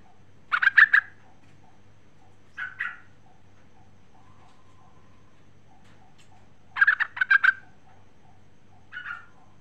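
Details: A female sooty-headed bulbul calls to the male in short bubbly phrases. Two louder, rapid chortled bursts each alternate with a softer two-note phrase, spaced a couple of seconds apart, over a constant low hum.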